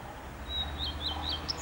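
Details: Male common redstart singing at Lipka, Wielkopolska, Poland: a long, thin, level whistle held for about half a second, then a quick string of four or five higher, slurred chirping notes. Low rumbling background noise throughout.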